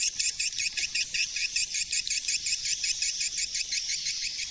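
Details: Dense swiftlet chattering from a 2020 lure call, with bright, high twitters pulsing in quick, rhythmic bursts of about three per second.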